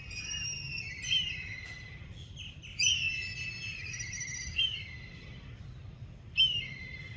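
A black kite gives high, drawn-out whistling screams that quaver and slide downward, about every two seconds, over a low background rumble.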